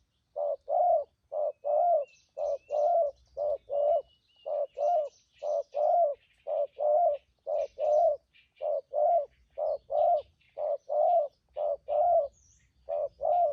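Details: Spotted dove, a wild-caught decoy bird for trapping, giving its 'thúc gù' cooing style: steady pairs of low hollow coos, a short note then a longer one, repeated about once a second, with faint high chirps of other birds.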